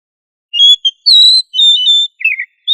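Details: Kacer, or oriental magpie-robin, singing 'gacor ngobra' to teach other magpie-robins a loud song: sustained pure whistles alternating with short notes, ending in a burst of buzzy descending trills. The recording is clean and quiet between notes.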